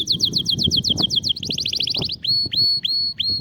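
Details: Canary song meant to stimulate a silent canary to sing: rapid high notes repeated in a fast series, then a quicker rolling trill, then upward-curving whistled notes with held tones; low background rumble.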